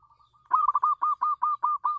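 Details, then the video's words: Local zebra dove on a house terrace, singing as a lure: faint soft coos, then a steady series of about eight rounded, even-paced coos. "perkutut lokal manggung di teras rumah bagus untuk pancingan"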